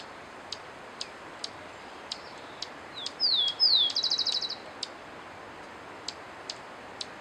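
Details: Cinereous conebill singing: two high, thin downslurred whistles followed by a fast buzzy trill, about one and a half seconds long, over steady hiss with sharp ticks repeating every half second.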